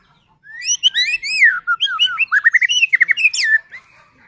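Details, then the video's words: White-rumped shama singing continuously, used to stir other shamas into singing; a clean, rapid burst of varied whistled notes, upslurs and downslurs tumbling together for about three seconds against a quiet background. "Murai batu gacor AMPUH buat PANCINGAN murai batu agar bunyi JADIKAN burung murai EMOSI"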